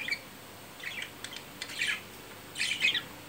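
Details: Courting budgerigars after mating: scattered scratchy chirps building to a louder burst of harsh chattering squawks at the end.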